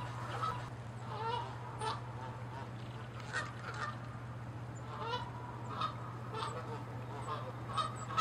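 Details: Several Canada geese fighting and chasing, angry and territorial, with repeated short nasal honks roughly every half second to second, fairly distant and quieter, over a constant low-pitched hum.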